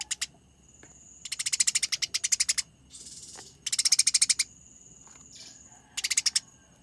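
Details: Eurasian tree sparrows in combat, sending out rapid, clear chirp trains, with a hissy burst, a faint sustained whistle, and a final short volley of chirps.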